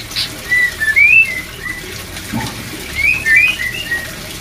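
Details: Pure, clean whistles of white-rumped shama, played to raise breeding drive: two short groups of sliding and rising notes separated by a quiet gap of about a second and a half.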